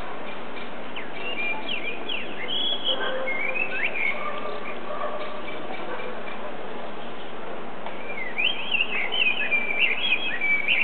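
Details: Male blackbird, hidden from view, singing at sunset: varied whistled phrases with squeaky twittering flourishes, in two bursts over a steady hiss of background noise, before flying away at the end.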